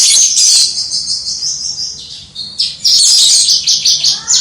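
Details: Caged Javan bush lark pouring out crystal-clear gacor song, recorded from far off: a dense, bright trill that softens briefly midway before surging back into rapid high chipping notes.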